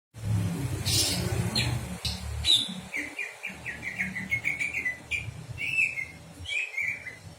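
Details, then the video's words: Small birds chirping, a run of short rising and falling notes repeated in quick succession, with scattered sharp clicks and a low rumbling background. "Sound of birds"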